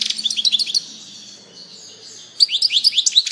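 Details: European goldfinch singing: two bursts of rapid, tinkling, twittering notes, the first under a second long, the second starting after a quiet gap of about 1.5 seconds, each note a quick bright slur.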